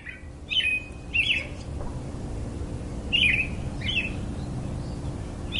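A robin sings short, high, varied warbling phrases, about six bursts with brief pauses between them, over a low steady background rumble.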